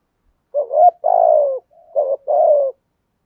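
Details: Spotted dove used as a calling decoy to excite wild doves: a single phrase of a rising note, a long descending coo, a faint murmur, then two more coos.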